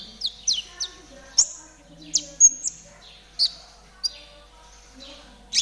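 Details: Spotted konin, a caged songbird, used as training material: spaced high, slurred whistles that drop sharply, given about one per second with short gaps, plus a few faint lower notes.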